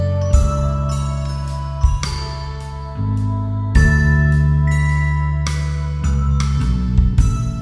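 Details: Instrumental music of bright mallet percussion, marimba, glockenspiel and bell-like tones, struck in a steady rhythm over sustained low notes, with no animal voice.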